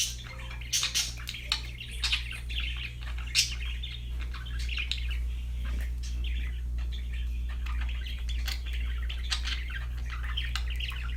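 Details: Happy budgerigars singing, with continuous warbling chatter of quick chirps, clicks and short whistled notes tumbling irregularly over a constant low hum.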